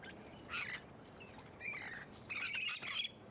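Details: Musk lorikeets recorded up close in suburban Hunters Hill, Sydney, Australia, in late spring 2020: three rough, shrill screech bursts, the last one longest and loudest.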